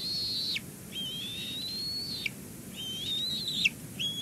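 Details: Female bald eagle chick at a Two Harbors nest on a live cam, June 8, 2022, branching onto a rock and hopping about: thin, high whistled calls in long wavering strokes, each ending in a quick drop.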